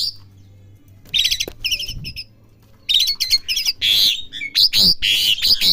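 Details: Young Asian pied starling learning to sing: bursts of harsh chattering and squeaky notes, then louder rasping, whistled and scratchy phrases. A low hum runs underneath throughout.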